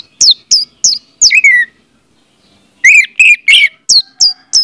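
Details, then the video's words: Orange-headed thrush song, used as a lure for silent orange-headed thrushes: a varied run of high, sharp descending whistles and buzzy trilled notes, about three per second, with a short pause midway. "audio suara anis merah"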